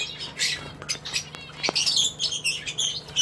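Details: A northern red bishop (Euplectes franciscanus) gives a busy stream of thin, buzzy, sizzling notes, high-pitched and scratchy, with a few sharper chirps mixed in.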